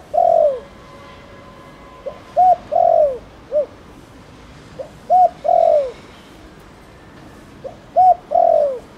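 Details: Thổ Đồng cooing of a spotted dove used to draw other doves into calling: steady phrases every few seconds, a short hoot followed by a long, downward-sliding coo and a quick final note.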